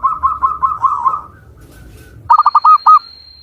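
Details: Zebra dove, local Javanese bird, Cilacap, Central Java: faint wavering coos over low background hum, then a clear staccato phrase of five short notes, with a steady thin high whistle-like tone behind.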